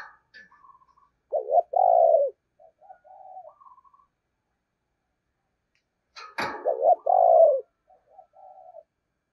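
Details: Decoy spotted dove cooing in 'giọng thổ' style. Two loud phrases, each a short double coo then a longer drawn-out coo, spaced about five seconds apart and trailed by soft lower notes. A sharp knock sounds just before the second phrase.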